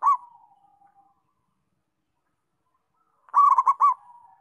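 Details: A local zebra dove sings. The end of one phrase fades into a soft trill, and after three seconds of silence comes a full, loud bubbling coo of about five rapid rolled notes.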